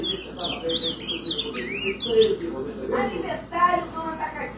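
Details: An ultramarine grosbeak (azulão) sings while perched on a person's hand, a quick run of clear, warbled whistles sliding up and down, then a person talks over the end.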